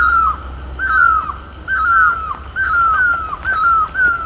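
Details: Great (Himalayan) barbet on horse chestnut blossom in Uttarakhand gives loud, mournful, slightly falling notes, repeated about once a second in a steady series over a low background hum.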